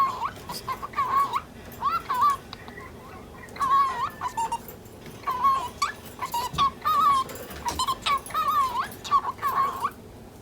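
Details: Ten-month-old lutino cockatiel talking angrily at a budgerigar that keeps chasing it across the cage, breaking in with irritated throat-clearing coughs; short wavy mid-pitched chattering phrases come in bursts with brief pauses between them.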